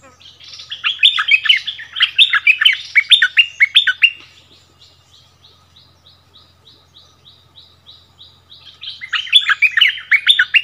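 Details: Bulbul dueling with a new territory holder after being brought back to its old territory: a long, fast run of bright, bouncy chirped notes, a pause filled with a faint repeated high buzzy note, then another burst.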